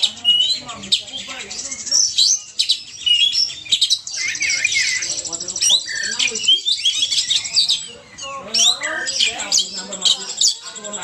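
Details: Poci bird lure sound from Indonesia: long, busy bout of shrill twittering and squeaky chatter, with sweeping whistled notes, a brief drop in activity near eight seconds, then renewed rapid chirping.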